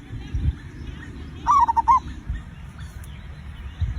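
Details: Single zebra dove song phrase used as a lure to set other birds singing: a brief stuttered coo of several quick notes amid low thumping background noise.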